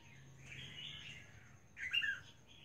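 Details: Albino female red-whiskered bulbul calling: a faint, hazy warble at first, then a short, louder burst of bright, slurred whistled notes near the end over a low background hum.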